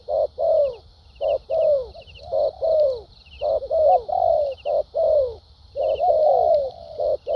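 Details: Spotted dove, a newly caught bird prized for its fighting temperament, delivers rapid structured cooing. Short notes and bending, falling coos follow each other closely, some overlapping, against a steady high-pitched background hiss.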